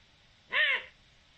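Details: Eurasian eagle-owl, recorded 7 October 2020: a single harsh, hoarse call lasting about a third of a second, rising and then falling, over a quiet background hiss.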